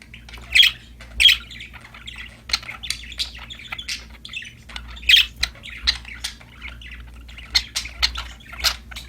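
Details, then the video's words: Happy budgerigars chirping and singing while playing: repeated sharp squawky chirps and rapid warbled chatter, loud bursts every second or so, faint low hum. "Happy Parakeets Chirping Sound #budgies Singing, Playing"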